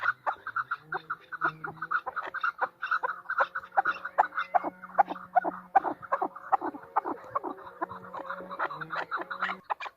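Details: Female chukar partridge giving a long series of clipped, clucking chuck notes in an uneven rhythm over a faint low steady hum, with occasional drawn-out tonal notes underneath.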